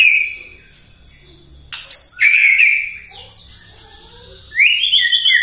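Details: Morning song of a White-rumped shama used to provoke other birds: a long whistle, sharp clicking notes and softer chatter, then a fast, bright rippling trill.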